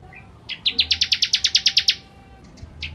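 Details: Crystal bar-winged prinia singing vigorously for shama tutoring: a quick accelerating burst of loud, bright chirps lasting about a second and a half, followed by a pause and a few scattered notes.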